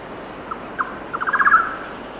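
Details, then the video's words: At 6,000 ft in wind, a golden-naped barbet gives two isolated notes, then a trill that speeds up and swells in loudness before fading, with a steady wind rush and a faint high cicada hum behind. "Golden-Naped Barbet. Song"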